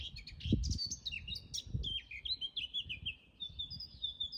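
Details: Eurasian blackcap in a natural garden pours out a rapid, varied warble, shifting into a clearer series of repeated two-note whistled phrases, while a great tit also sings; a few low thumps sound near the start.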